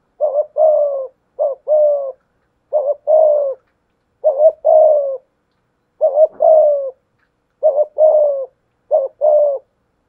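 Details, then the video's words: Decoy spotted dove with a 'thổ pha thúc' voice cooing in 'gù' style against a wild dove. Eight steady two-part phrases: a quick quavering note then a drawn-out husky coo, roughly every 1.3 seconds, with nothing else heard. "cu gáy giọng thổ pha thúc GÙ đấu với bổi, tiếng gáy bổi nghe rất ghét và gáy theo hiệu quả"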